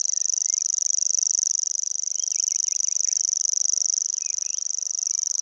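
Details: Common grasshopper warbler reeling continuously by the Vistula near Gdańsk (Przegalina/Błotnik) on 20 June, the bird singing nonstop: a high, dry, insect-like trill running evenly, with another bird's brief whistled notes in the background.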